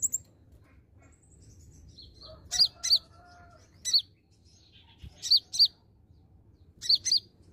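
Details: Olive-backed sunbird lure song to prompt young birds to answer: paired sharp, very high chip notes repeated in clusters about every second or so, with faint thin buzzy trills between.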